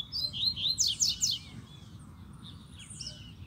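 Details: A caged male Double-collared seedeater sings at a female and other wild birds near its cage: a quick burst of high, sweet twittering notes with fast buzzy trills, then softer scattered chirps, over a low rumble.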